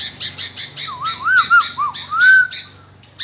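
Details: Sooty-headed bulbul answering persistently with a bubbling string of looping whistles, rising and falling several times, ending in a long upswept note, over rhythmic rasping pulses and a low background hum.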